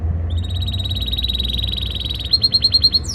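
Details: Canary singing in breeding season, trying to impress a female: a fast, even, rolling trill on one high pitch that breaks after two seconds into separate, louder chirps repeated about five times a second, over a steady low hum.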